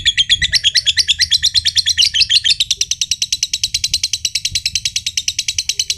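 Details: Green josan lovebird, a prized competition bird, giving its long ngekek trill said to set other birds trilling: dense chattering settles into a steady, rapid run of buzzy pulses, over a low background hum.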